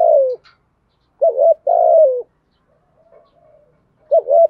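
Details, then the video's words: Cooing of spotted doves, male and female, for training decoy birds: a falling burred note, then a pair of mellow coos running into a long rough note, with a further coo beginning after a short gap. "tiếng cu gáy đủ bài dùng tập bổi nhạy gáy"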